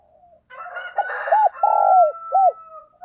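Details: Decoy spotted dove singing in the morning to attract wild doves: mellow arched coos and a long falling purr over a steady thin high whistling tone running through most of the phrase.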